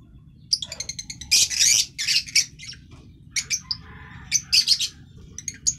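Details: Green-coloured masked lovebird chattering in shrill, rapid chirps and harsh squawky bursts, a loud grating run near one and a half seconds, then scattered sharp high notes and short ticks.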